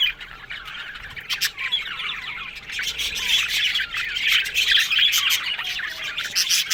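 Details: Yellow budgerigars described as happy, talking: starts quieter with separate short chirps and squeaky calls, then builds into denser rapid warbling, with bright whistled squeaks and sharp clicks.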